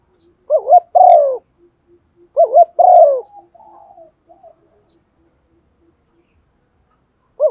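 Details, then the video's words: Decoy spotted dove urging other doves to call with two low coo phrases, a wobbling double note then a longer descending coo, followed by faint soft notes and a third phrase beginning at the end. "Chim cu gáy đất thúc gù bài bản/ chim cu mồi giọng bài bản kích là gáy"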